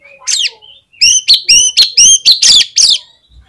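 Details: Lure song of a vigorously singing Oriental magpie-robin, meant to set other magpie-robins singing: a soft slurred phrase, then seven or eight loud, sharp, evenly spaced whistled notes delivered rapidly.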